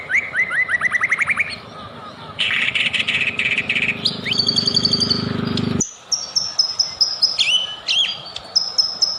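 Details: Lure recording of a white-rumped shama to trigger singing: a descending run of quick notes, dense buzzy chatter over a low drone, then clear piercing high whistles spaced apart.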